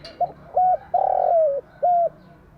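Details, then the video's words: A spotted dove in morning song, a recording meant to lure and train doves: one complete phrase of two quick coos, a long hollow coo bending downward and a final flat coo. "Tiếng chim gáy bài bản gáy buổi sáng"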